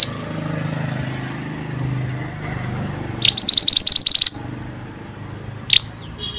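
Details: Pied bushchat (mantenan) singing for a lure recording to restore song in stressed birds: after quiet low background noise, one fast burst of about ten sharp high notes, followed later by a lone short chip.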